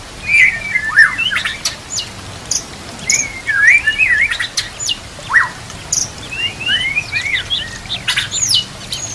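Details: White-rumped shama song for training other shamas, over nature sounds and running water: varied fluting whistles and looping slurred phrases, broken by sharp high clicks and short pauses.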